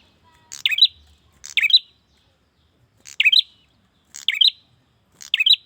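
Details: Bar-winged prinia male calling a female: scratchy two-note chirps, five in all, with a longer gap midway through the series.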